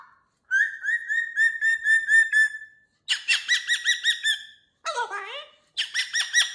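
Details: Caged pet cockatoo playing with new toys, holding a long steady whistle, then rapid rhythmic squawking runs and a swooping call.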